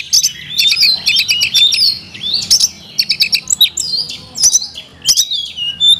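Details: Magpie-robin singing elaborate fill-in material: dense, high, rapidly changing whistled phrases mixed with sharp clicks and short trills, almost without pause.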